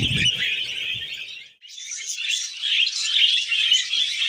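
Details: Pet budgerigar warbling happily, a steady buzzy chatter with a short break partway, then resuming louder with quick chirped notes, low rumble at the start.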